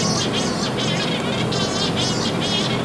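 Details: A shearwater, a bird of the open ocean, calls out of the water in harsh, rasping, unmelodious bursts, several each second, with a low hum underneath.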